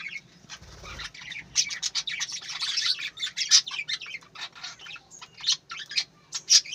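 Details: Dense twittering of budgerigars, with many overlapping high chirps and scratchy warbles running almost continuously and a faint low rumble near the start.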